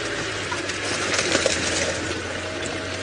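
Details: Loud, continuous rushing, splashing noise like running water throughout, with no animal calls standing out.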